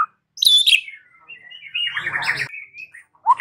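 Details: White-rumped shama song used as a lure to make another shama answer and sing: bright whistled and chattering phrases, a sharp rising note, then a rapid buzzy trill and a final upward whistle.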